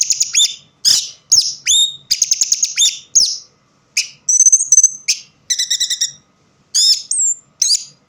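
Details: In low light an orange-headed thrush keeps singing: a long string of clear, varied phrases mixing rising whistles, rapid stuttered notes and slurred warbles, each phrase under a second with short gaps.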